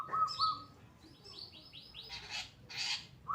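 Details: Actively singing pastol long-tailed shrike, recorded for training other birds: a brief clear note, then a series of rising slurred whistles and two loud harsh, noisy bursts.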